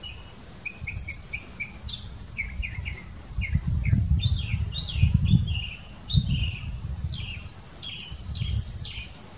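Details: Northern mockingbird (Mimus polyglottos), song.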